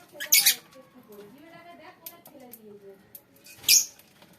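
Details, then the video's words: Lovebirds in a colony: two loud, harsh, shrill screeches, one near the start and one near the end, with quieter low tonal murmurs between them. "lovebirds colony"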